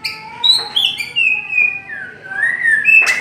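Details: White-rumped shama delivering a long-voiced song: sustained clear whistles that slide smoothly down and up through several pitches, one drawn-out note flowing into the next, ending with a sharp noisy burst.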